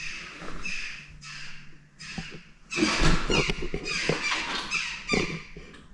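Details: Jackdaw chicks in a nest near a church altar in Shropshire give harsh, raspy begging calls in rapid bursts, swelling into a noisy chorus; a steady low hum sits underneath.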